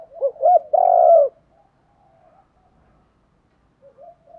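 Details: Spotted dove coo used for attracting wild doves: two rapid rising notes run into a long, full, slightly falling coo, then quiet soft cooing near the end.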